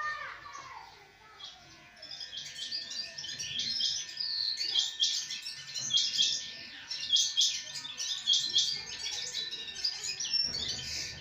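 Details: Sparrows chirp steadily in a thick, overlapping chatter of short high notes, starting soft and growing fuller, with a faint low hum in the background.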